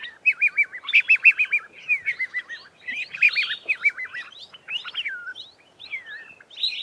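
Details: Flock of Red-faced Mousebirds calling to each other from an Acacia tree at close range; overlapping series of wavering, trilled whistles, several birds answering one another in quick bursts, with some sharper rising and falling notes.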